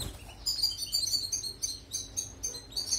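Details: European goldfinch song, offered as a model for training canaries: rapid high twittering phrases in short bursts about every half second, thin tinkling notes, with a faint steady low hum beneath.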